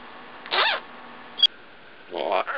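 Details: Female African grey parrot, a pet aged one and a half years, saying words in a small room: two short voice-like bursts with layered harmonics, separated by a brief sharp click and a thin tone.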